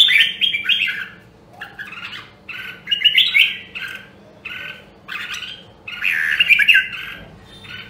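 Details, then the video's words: Red-whiskered bulbul of Nam Đông, Huế in voice training, singing fuller, slightly harsh warbled phrases in clusters with short pauses, the final phrase long and dense; soft background hum. "Luyện giọng Chào Mào Nam Đông Huế"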